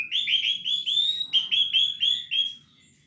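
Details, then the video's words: Orange-headed thrush in energetic 'gacor teler' singing, full material: a rapid string of about ten bright, clear, repeated notes, each slightly rising, delivered steadily over two and a half seconds before fading out. "Anis Merah Gacor Teler full materi"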